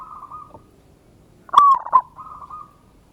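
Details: Local zebra dove singing a lure phrase to stir other doves to call. Soft level notes lead into one loud rolling coo with a sharp click and a short second note, then softer notes trail away.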